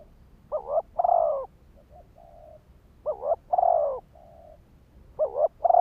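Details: Spotted dove decoy bird calling to lure and stimulate wild males: three low cooing phrases about two and a half seconds apart, each a quick double note, a loud drawn-out coo and a soft trailing note, over faint background hiss.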